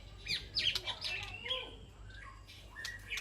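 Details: White-rumped shama communicating with its flock in an aviary: a quick run of varied notes, with high sweeping whistles, harsh squawks and short chirps, then a steady clear whistle near the end.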